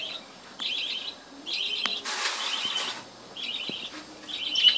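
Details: Budgerigars in a breeding colony: short warbled, wavering chirps repeated several times, with a burst of broadband rustling noise in the middle.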